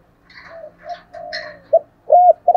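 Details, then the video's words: Spotted dove giving decoy calls meant to lure wild doves in quickly: soft, low, drawn-out coos, then three short, louder, bowed notes near the end with faint higher overtones. "chim cu gáy thúc gáy gọi bổi rất nhanh về cội/ tiếng chim cu gáy tập bổi và mồi hiệu quả"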